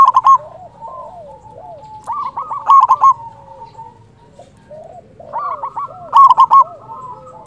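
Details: Local zebra dove, a steady loud singer meant to provoke other doves and lure them for trapping: several rolling coo bursts, spaced about two seconds apart, with quieter trilling coos in between.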